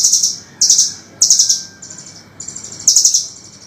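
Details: Lively velvet-fronted nuthatch song from a master recording for songbird training: short bursts of fast, shrill chips come every half second or so, with fainter, thinner trills between them.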